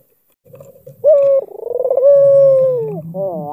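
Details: Coo of an albino Barbary dove with a black collar, given to provoke another bird's reply: soft low notes lead into a bright note, a pulsing roll and a long gently falling tone, with a low background hum.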